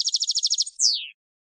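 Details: European goldfinch field song for teaching novice decoy birds: a quick even buzzing trill of about ten notes followed by a loud, long whistle sliding steeply downward.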